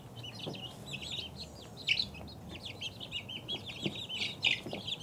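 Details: Peeping of two-week-old chicken chicks, a steady stream of high short notes with a few louder sharp cheeps, plus occasional low knocks.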